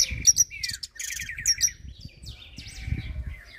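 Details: Hooded siskin giving a varied twittering song: sharp high notes, a buzzy trill, and downslurred whistles, separated by short pauses, with low thumps and rustling in the background.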